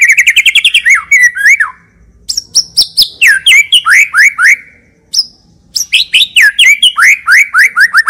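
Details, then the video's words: A white-rumped shama, recorded as a lure/tutor song, sings loud, rich phrases of rapid repeated chips and slurred whistles, dropping from high to middle pitch, with brief pauses between bursts. "MURAI BATU PILIHAN GACOR TERUS FULL ISIAN MEWAH FULL TEMBAKAN DURASI"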